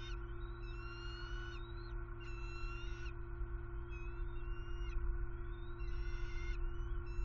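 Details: Hungry bald eagle nestlings in Southwest Florida, 6 February 2021, during aggressive sibling rivalry before the father delivers a roadkill rabbit: high, thin piping call series repeated about every second, each note gently rising, over a steady low hum.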